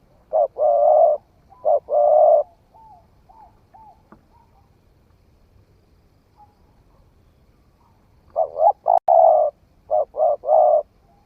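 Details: Newly calling spotted dove tried out in forest: stuttered phrases of quick coos ending in long full coos, a quiet stretch with soft thin notes and a click, then a lively burst of several clipped and drawn coos.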